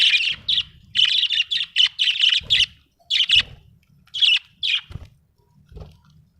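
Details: Budgie chirping in rapid runs of bright, scratchy notes, two long strings followed by a few separate chirps and fading softer sounds, with occasional low thumps.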